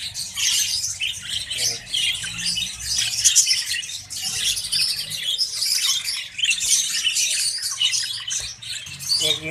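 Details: Budgerigars in breeding cages, first clutch with eggs and chicks. Constant loud chorus of high chirps, squawks and warbling from many birds, steady throughout, with a low hum below.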